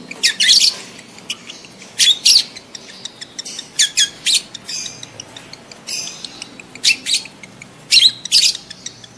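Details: Adult lovebirds giving breeding-condition calls meant to prompt mating: shrill, rasping chirps repeated roughly every second, often doubled, with softer twittering between the loud bursts.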